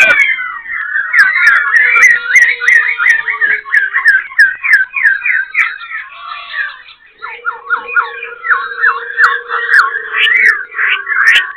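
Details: Black-throated laughingthrush, a wild-caught cage bird kept in Binh Chanh, Ho Chi Minh City, displaying tail and wings and switching voices: rapid rollicking chain of loud whistled notes, brief pause, then another fast burst, over a steady low hum and clicks.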